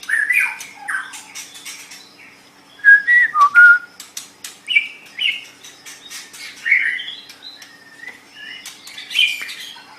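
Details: Training song of a white-rumped shama kept as a pet: clear whistled notes and slurs interspersed with sharp clicks, delivered in scattered phrases with brief pauses.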